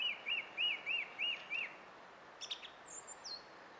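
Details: Six arched, fluty notes in quick even repetition from a song thrush on 20 April 2016, then scratchy clicks and a high thin descending whistle.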